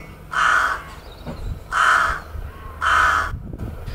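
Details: Rook, the town counterpart of the raven, often feeding on fields and urban lawns, gives three hoarse, grating caws, each about half a second long, spaced roughly a second apart, over a faint low background rumble.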